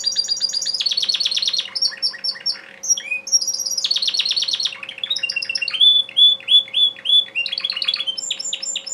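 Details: Captive male Timbrado canary in full song: rapid metallic rattling trills alternate with bright whistled phrases and a series of ringing, evenly spaced bell-like notes, over faint indoor hum.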